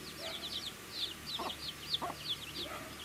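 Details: Baby chickens eating, with a few clear, high peeps that curve downward, spaced out over several seconds, and occasional low tapping sounds.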